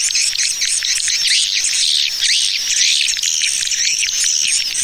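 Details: Swiftlet lure call in the 'Tarik Permata' style, played to attract swiftlets: dense, unbroken high chirping and twittering, sharp overlapping buzzy notes packed together with no pauses through the whole stretch.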